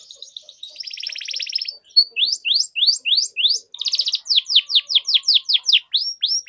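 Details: Vigorous canary song used as a lure for young canaries learning sounds: a dense buzzy roll opens, then clear rising-falling chirps repeat about twice per second, closing with quick bursts of trilled notes.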